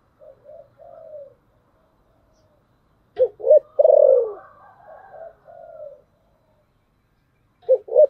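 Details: Spotted dove decoy, thổ sấm voice style, cooing to attract wild birds: stuttered low notes leading to a loud rolling coo, quieter higher coos around it, and a new phrase starting at the end.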